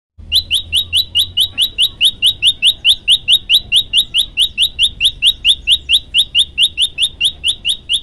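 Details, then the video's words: Prenjak lumut, a tailorbird, singing a lively varied song as a training recording: a steady series of short, sharp, rising chirps, about two per second, continuing evenly for eight seconds over a faint low hum. "prenjak lumut gacor variasi"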